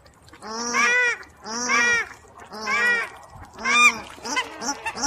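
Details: Paradise Shelduck, a noisy duck endemic to New Zealand, of grassy areas and farmland; males give loud honking alarm calls, females higher pitched. Four loud nasal honks, each about half a second, roughly once a second, then shorter higher notes.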